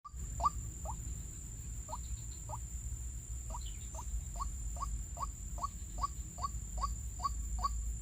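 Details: White-breasted waterhen calling during bird trapping with snares in the countryside: short hoarse notes near the same pitch, repeated irregularly about once or twice a second, over a steady high insect-like whine and low rumble.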